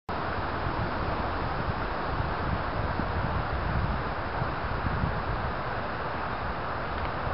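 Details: Wind buffeting and distant traffic rumble run throughout, with no animal call heard.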